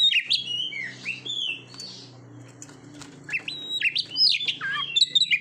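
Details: Magpie-robin training song for competition birds: bursts of bright whistled and slurred notes, with a quieter stretch in between and a low steady hum underneath.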